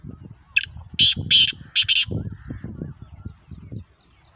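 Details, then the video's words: Black francolin (kala tittar) calling: a quick series of about five harsh, rasping notes over one and a half seconds, followed by low rumbling and thumping noise. "voice of kala tittar"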